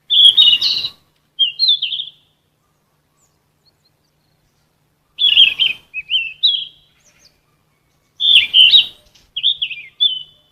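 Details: Sikatan emas flycatcher of genus Ficedula, a recording used as vocal training for captive songbirds: three bursts of bright, twittering notes about three seconds apart, each a dense chattering phrase followed by short whistled slurs.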